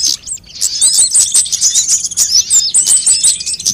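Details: Sunbirds on a lure recording intended to draw birds and make them sing: after a soft start, a steady run of bright, high twitters and tiny trills fills the rest of the clip.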